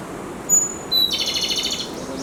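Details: Tane robin, a Japanese robin subspecies endemic to the Izu Islands, Tanegashima and Yakushima, singing on a dim forest floor in strong wind: a thin, high whistled note, then a lower one, breaking into a fast, ringing rattle-like trill, wind rushing underneath.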